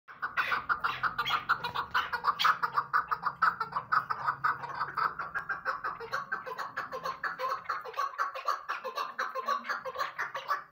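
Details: Two hunting chukar partridges, tagged female, give a steady, unbroken run of hoarse, mid-pitched clucking notes, several each second, over faint indoor room noise.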